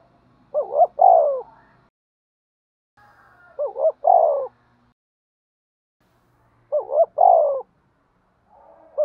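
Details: Spotted dove fighting and calling coos: three phrases spaced roughly three seconds apart, each a quick wavering pair of notes then a longer falling coo. A faint low murmur sounds underneath.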